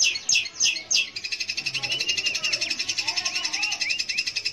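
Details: Long-tailed shrike song played to encourage young or silent shrikes to sing: a few loud harsh bursts, then a steady fast chatter of high grating notes with soft rising whistles running underneath.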